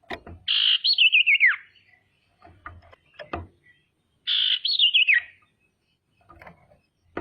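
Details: Female common iora (sirtu) calling energetically, used as a lure to provoke rivals: two buzzy trilled whistles, each starting high and sliding down in a wavering descent, about four seconds apart, with dull knocks and clicks between.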